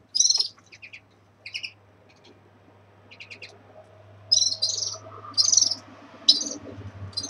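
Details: Caged red-fronted serins at the start of moult: short, high buzzy twittering bursts with scattered thin chirps in between, separated by brief pauses, over a faint low hum.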